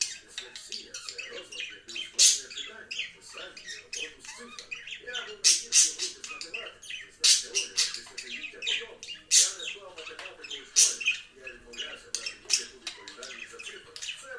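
Budgerigars chatter with scratchy squawks and high chirps in irregular bursts.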